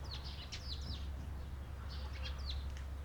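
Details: Eurasian tree sparrow calling on 28 April 2022: clear, downslurred chirps in two short bursts of three to four notes, with a low steady hum underneath.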